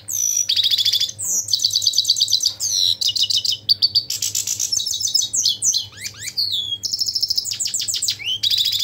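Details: European goldfinch singing a fast, varied twittering song of liquid chirps, buzzy trills and tinkling notes, nearly continuous through the clip.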